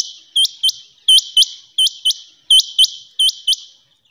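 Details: Rain quail calling: sharp, high whistled notes delivered in close pairs, each pair repeated roughly every 0.7 seconds in a steady, clear series with a quiet background.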